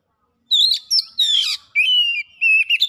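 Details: Oriental magpie-robin (kacer) song used as a fast lure recording: clear whistled high phrases, some sliding and some steady, in bursts of about half a second separated by brief pauses.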